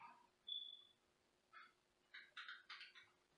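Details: Senegal parrot kept as a pet: a brief clear whistle, then a run of harsh raspy screech bursts, four or five in quick succession, in a quiet room with a steady background hum.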